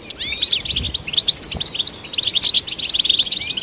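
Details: Goldfinch song used to encourage goldfinches: opens with a few upward-sweeping whistled slurs, then breaks into quick liquid twittering and jingling notes, with a couple of soft low knocks.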